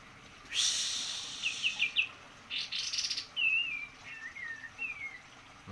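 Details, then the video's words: White-eye in full song. It opens with a loud buzzy burst and quick chirps, then a rasping rattle, followed by several clear slurred whistles that descend in pitch. "kapas tembak gacor"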